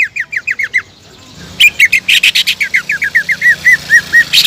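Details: Lure song of a greater green leafbird used to spur rivals into singing: a quick series of upslurred whistles, a short gap, then harsh buzzy bursts giving way to evenly spaced, downward-curving whistled notes.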